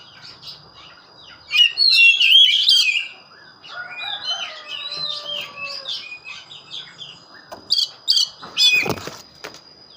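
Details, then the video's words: Oriental magpie-robin singing bright, varied whistled phrases, alternating with lower drawn-out tones. Several sharp rustling or flapping noises occur near the end, over a steady faint high tone. "burung Kacer gacor"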